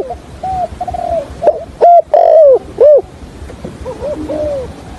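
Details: Spotted dove used to lure others into a trap, with a stammering coo in the 'hạp bổi' voice style: quiet level notes, then three loud rough coos near the middle, then soft falling notes.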